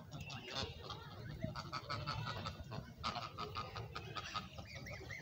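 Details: Noisy domestic geese on a goose farm, a flock honking continuously in overlapping nasal calls, with low rumbling background noise throughout.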